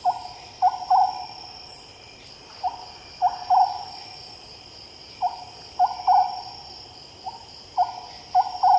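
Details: Oriental scops owl calling at night: hollow, low notes in short phrases of three, the last two close together, repeated about every two and a half seconds over a steady high-pitched insect buzz.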